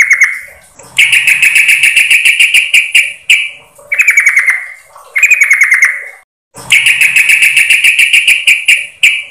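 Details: Lure call of a female sooty-headed bulbul summoning the male: dense, buzzy chattering runs lasting several seconds, alternating with shorter falling stuttered phrases, with abrupt breaks between sections.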